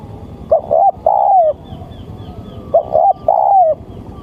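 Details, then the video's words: Male spotted dove's luring call, two loud phrases of paired short coos then a long full coo, about two seconds apart, with faint high twittering behind. "Suara Tekukur-Pancinga Tekukur"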